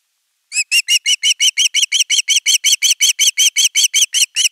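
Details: Osprey chick at nest 3 on a live nest camera, 10 August 2021, calling at length for fish before an adult brings a whole fish: sharp, slightly downslurred chirps repeated evenly, nearly three per second, after a brief silence.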